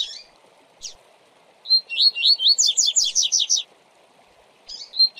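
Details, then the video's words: A double-collared seedeater sings the classic tui-tui zel-zel song with intervals, used for song tutoring: a fast run of bright, slurred rising whistles building into buzzy trills, with short phrases before and after, over faint running water. "Canto Tui tui Zel Zel Clássico Para Encarte Com Intervalos - Coleiro Professor Aprendizado"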